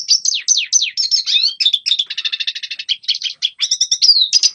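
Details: Red siskin song for training young birds: a series of descending slurred whistles followed by a dry, rattling trill of evenly spaced notes, then more chirps and a final falling whistle.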